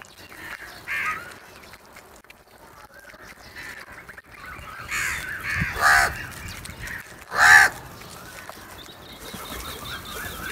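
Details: Scattered hoarse caws among crows fighting and eating, a few short calls at irregular intervals over a steady background hiss.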